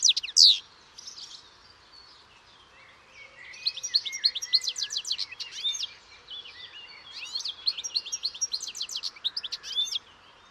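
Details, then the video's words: European goldfinch song: a loud opening note, then rapid bursts of tinkling, twittering high notes in two long runs, with soft background hiss between phrases. "O canto do PINTASSILGO/GOLDFINCH SONG"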